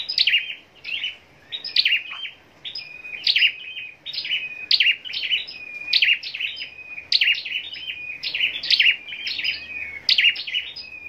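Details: Scarlet-backed flowerpecker raised for singing contests, delivering a long run of bright, high-pitched chirped phrases with sharp downward strokes and short level whistles, repeated roughly every second without pause.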